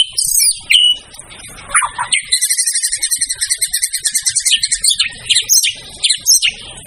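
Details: Murai batu (white-rumped shama) singing hard in a training recording for caged songbirds: a few clear whistles, then a long stuttering chatter of rapid, evenly spaced high notes, ending in mixed squeaks.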